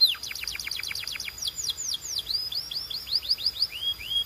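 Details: Canary singing in a relaxing recording: rapid trains of downslurred whistled notes, then slower repeated sweeping notes rising and falling, about five per second, bright and high with a quiet background.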